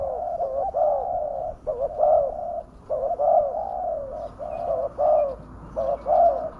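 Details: Spotted dove calling as a lure for wild doves: dense run of low mellow coos, some long and flat, others short and doubled, with faint high chirps from other birds near the end.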